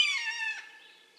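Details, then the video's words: A single harsh, ringing scream from a Red-shouldered Hawk, loud at the start, then slurring slightly downward and fading over about a second. "Red-shouldered Hawk - Bird Sounds"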